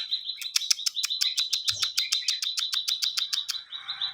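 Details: Ciwah in active song, used as a tutor for songbirds: a quick series of high, clipped chirps on a steady pitch, roughly three to four per second, with a softer warble at the end.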